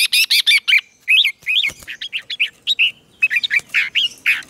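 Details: Red-whiskered bulbul singing as a decoy to lure rivals into fighting; a dense, continuous stream of loud, bouncy whistled notes, many slurred up and down, with short choppy bursts throughout.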